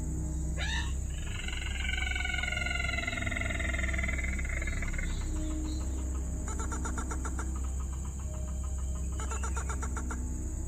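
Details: Rail, possibly a white-throated or brown-throated rail, a recording used to lure birds into traps: a sharp falling note, then drawn-out harmonic tones and bursts of rapid ticking over a steady low hum and high electronic whine.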